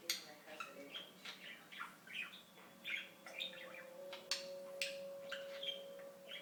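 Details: Pet budgerigar, lived 2007 to 2016, delivering a lively warbled chatter of squawks and clicks, with a steady thin tone humming underneath through the second half.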